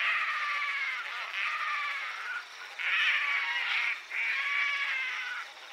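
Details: Painted stork giving weak moans at its nest: wavering nasal moans in four or five swelling phrases, separated by short dips, the middle ones loudest.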